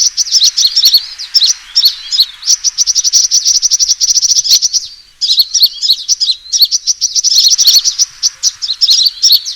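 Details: Sunbird fighting call lure: sustained fast trills of high chips mixed with twittering notes, broken by a clear pause midway.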